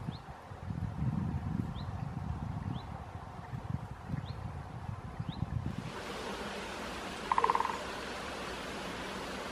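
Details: Great spotted woodpecker drumming in a small woodland on the first day of 2024, one of two birds answering each other. Near the end comes one brief rapid drum roll, after rustling and handling noise in the foreground.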